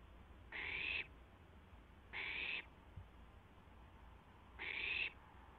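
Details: Barn owl owlet trying out its wings on a live nest camera just after midnight, April 12, 2016; three rasping, breathy hisses, each about half a second, spaced roughly two seconds apart, with a soft thump between.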